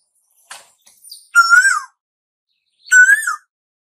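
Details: An Asian koel heralding summer gives two rich whistled notes that rise gently and then fall. Soft clicks and a brief scratchy sound come before the first note.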